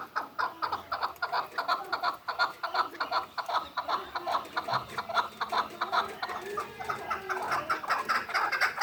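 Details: In Kulob, a six-month-old hybrid partridge keeps up a fast, chattering run of short clucking notes, about two to three per second, steady in loudness over nearly nine seconds.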